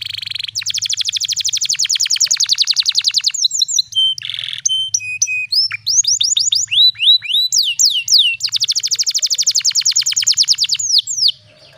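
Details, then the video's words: Young-canary tutoring pancingan song with special cengkok: long rapid trill of sharp notes, then varied whistles, buzzes and steady tones, a run of slurred swoops, and another fast rolling trill; faint low hum. "PANCINGAN KENARI BAHAN CENGKOK ISTIMEWA"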